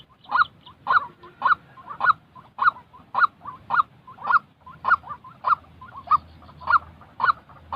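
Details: White-breasted waterhen, a real bird's voice offered for training newly moulted decoy birds used in trapping: harsh, nasal calls repeated steadily almost twice a second, each loud note trailed by softer in-between notes, over a faint low background hum.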